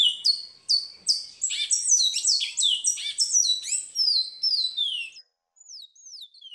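A chestnut-bellied seed finch sings a fast, high run of sweet downslurred whistles and warbled notes for about five seconds, then a few thin trailing whistles.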